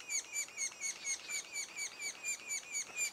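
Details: Sapsucker nestlings calling at the nest two days before first fledging: a steady run of short, rasping, downslurred notes with bright high overtones, about two per second, with no other clear sounds.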